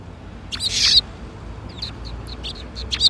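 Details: Sparrows gathering to be fed at a Tenmangu shrine, afternoon, 13 April 2021; a loud buzzy chirp burst early on, then scattered thin high tweets and a final sharp chirp.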